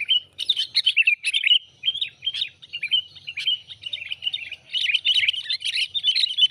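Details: Sooty-headed bulbul call used to lure birds into traps, choppy sequence of sharp chirps and short warbles in uneven groups, growing denser and more continuous in the last seconds.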